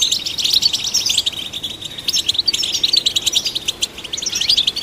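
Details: Goldfinch song meant to stimulate goldfinches: a dense, high, jangling twitter with buzzy rattles, steady across the few seconds and without pauses.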